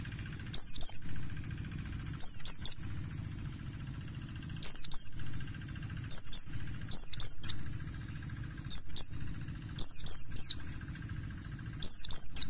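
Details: Mountain white-eye (pleci buxtoni), ngalas song used as a lure to start birds singing: repeated short bursts of shrill, tumbling twitters, about six groups, with quiet gaps and a faint low rumble and steady high whine between them.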